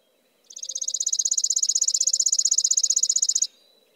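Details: A single chipping sparrow song: one steady, dry trill of rapid, identical high chips lasting about three seconds, in a quiet setting.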